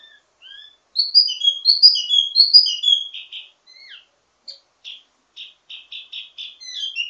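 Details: Wambi mini in ledekan teasing song, highly varied and used to train birds of the same kind: clear rising and falling whistles, then a run of short buzzy repeated notes.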